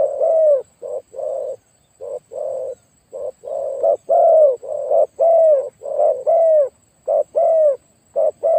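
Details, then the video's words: Decoy spotted dove with a very big voice cooing in a dense, almost continuous sequence of short and long low notes, several long coos bending downward, overlapping phrases for over eight seconds. "ต่อนกเขาใหญ่เจ้าสุดสาครแต้มที่ 49เฉลยเสียงใหญ่มาก"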